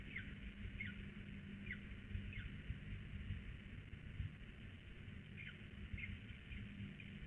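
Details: Peregrine falcon calling during a prey transfer on a small roof in Police, 26 April 2020; faint short falling chips repeated in quick series, above a loud steady low rumble of background noise.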